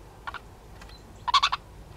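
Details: Autumn dawn in the Limousin countryside, 5 December 2016, where female house sparrows are in conflict: a soft rattled note, then a louder rapid chattering burst of four or five pulsed notes.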